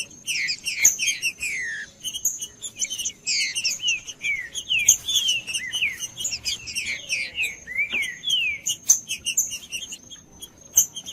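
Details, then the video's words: Green-winged saltator (trinca-ferro) singing, a recording used to warm up and stimulate a quiet trinca-ferro. Dense, rapid, descending slurred whistles overlap continuously, with a steady high thin tone running throughout. "TRINCA-FERRO CANTANDO/ESQUENTAR TRINCA FERRO FRIO"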